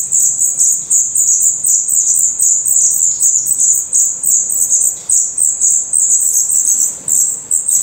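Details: Black redstart nestlings in a nest in Portugal, eyes newly opened and growing their definitive feathers, give a dense, continuous stream of very high, thin hissing chirps, overlapping with no pause.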